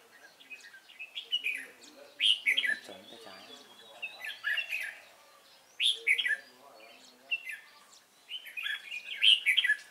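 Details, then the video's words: Cánh ruồi red-whiskered bulbul during trapping on 3 March 2017, singing short bubbly whistled phrases in bursts roughly every two to three seconds, with faint lower chatter between them. "Bẫy chào mào Cánh ruồi giọng hay"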